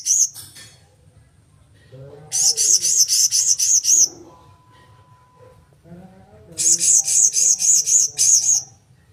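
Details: Blue-crowned hanging parrot delivering two long bursts of piercing, high-pitched notes repeated rapidly about seven times each, with quiet low murmuring and a faint steady tone in the gaps.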